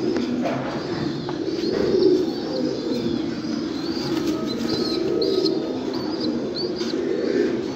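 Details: Fancy pigeons, domestic rock doves, give deep burbling coos throughout while short high chirps from other birds repeat above them and wings flap briefly.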